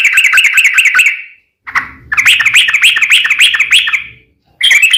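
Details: Sooty-headed bulbul song meant to prompt other bulbuls to sing: fast, bubbling whistled warbles in runs of over a second, broken by short silences, resuming loudly after each pause.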